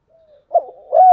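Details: Spotted dove singing in the 'giọng đồng' style: two short, low, hollow coo notes, the second longer and slightly rising, after a faint lead-in hum, in quiet surroundings.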